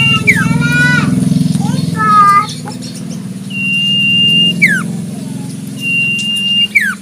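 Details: Wild Common Iora whistling a long flat note that drops in a steep slur, twice. Loud low engine rumble like a passing motorcycle and other short squeaky bird notes fill the first half.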